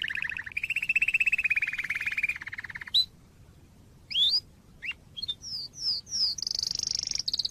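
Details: Canary song recorded to train young canaries: a low buzzing trill held for over two seconds, a pause, then scattered rising and falling chirps and a high rapid trill at the close.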